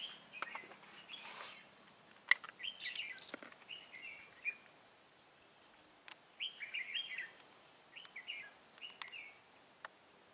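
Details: Decoy red-whiskered bulbul from Cao Phong set out to catch wild birds, 23 August 2018, giving repeated short slurred chirped phrases among frequent sharp clicks, taps and rustling handling noises.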